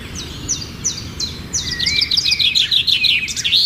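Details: Birds singing at sunrise in a village setting: a series of high chirped notes, then a rapid twittering warble and a thin rising whistle, with faint low background rumble.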